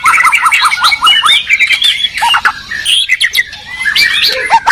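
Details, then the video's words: White-rumped shama duel between Medan and Borneo birds: opens with a quick series of five or six similar chevron-shaped notes, then varied chatter, whistles and trills. "Murai batu gacor medan vs borneo duel dahsyat"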